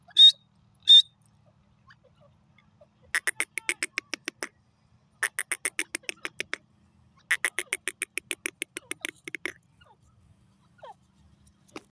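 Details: Grey francolin (teetar) calling; two loud opening notes are followed by long series of rapid, evenly pulsed notes in three bursts, then silence.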